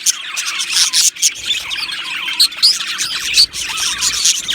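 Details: Colony of budgerigars in an aviary chirping and singing, a continuous high twittering chorus with quick, bright chirps and scratchy warbles overlapping throughout.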